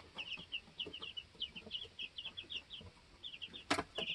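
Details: Baby chickens two weeks old on a homestead, hopping about and setting pecking order; a steady stream of bright high peeps, several birds overlapping, with light scratching and one sharp knock near the end.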